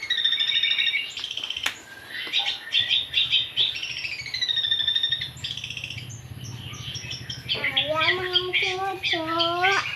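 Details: Young long-tailed shrike practising its song, a jumble of warbled chirps, slurred whistles and scratchy notes, closing with a burst of harsh, rising, harmonic-rich calls; low hum underneath.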